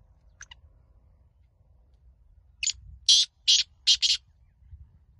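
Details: Black francolin (Francolinus francolinus) recorded 12 January 2023, giving a harsh, grating call of about four loud rasping notes in quick succession after a faint thin note, over a low rumbling background.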